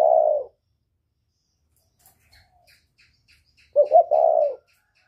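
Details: Northern-style whistle-voiced spotted dove used to provoke wild doves: one soft level coo, a long pause with faint high ticking, then a quick double note running into a sustained mellow coo.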